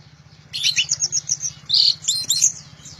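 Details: Orange-headed thrush singing loudly: after half a second of quiet, a rapid burst of high, sharp whistled and chattering notes, with a brighter drawn-out note near the middle, over a steady low electrical hum.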